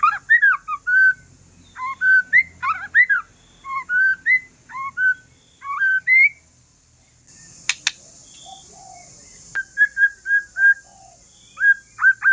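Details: Relaxed song from a white-rumped shama of Aceh forest lineage, aimed at provoking other shamas to sing back: rapid varied whistles and slurred notes, a pause with two sharp clicks, then repeated mellow whistled notes.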